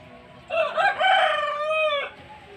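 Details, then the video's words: A rooster crows in the rain, one full cock-a-doodle-doo of about one and a half seconds, choppy start then a long held note that slides gently down, steady hiss of rain beneath. "The rooster crows in the rain"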